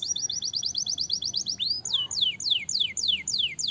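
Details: Canary song meant to prompt other birds into song: a rapid steady trill of short notes, one upward swoop, then slower, evenly spaced downward-sliding whistles.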